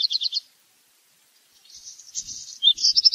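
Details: Black redstart song: a short burst of high, rattling notes, a pause of over a second, then a scratchy, crackling passage of buzzy notes ending in quick repeated high pulses.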